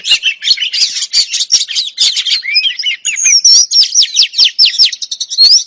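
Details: A female oriental magpie-robin calling to provoke a male to sing opens with dense scratchy chatter, then a clear run of sharp downslurred whistles and brief trills.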